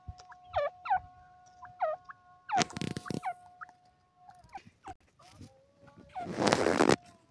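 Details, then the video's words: Francolin, also called partridge, giving its long call in forest: short hooked notes sliding downward, repeated roughly every second, then harsh broadband rasping bursts, over a steady faint tonal hum. "the long call of the francolin bird,partridge call"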